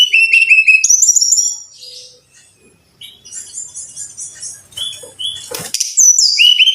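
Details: Brown-chested jungle flycatcher song, played to train caged birds: a loud opening burst of high stepped whistles dropping in pitch, softer thin notes and a rattly scrape midway, then the bright descending whistles return.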